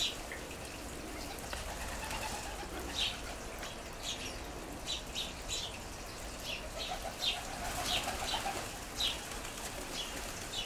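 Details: House sparrows grouped on the ground by a garden seed feeder, other groups calling nearby; frequent overlapping short chirps above a noticeable low background rumble.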